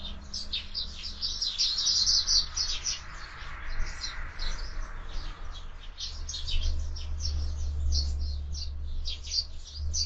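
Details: Several sparrows at a window feeder during an active feeding spell, chattering in dense high chirps, many short notes overlapping without pause, over a constant low rumble.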